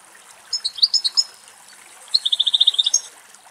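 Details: European goldfinch singing in Greek nature: a bright twittering phrase of quick high notes, a short pause, then a rapid even trill of about ten sharp chirps, with faint trickling background.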